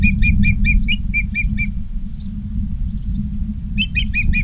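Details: Ospreys at a live nest camera in Charlo, Montana, 19 August 2023, 16:05: two bursts of quick, high, piping chirps, about a dozen notes, separated by a quieter gap with faint calls, over a steady low rumble.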